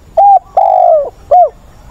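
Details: Decoy spotted dove used to provoke and train wild-caught doves, recorded 20 August. One loud, clear three-part coo: a short hollow note, a long sustained coo falling at its end, then a short curved closing note.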